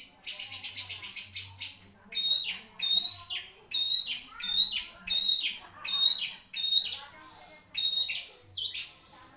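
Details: A long-tailed shrike, a songbird known for singing at length, gives a rapid buzzy rattle, then a steady series of clear whistled notes, each ending in a drop, roughly every 0.7 seconds.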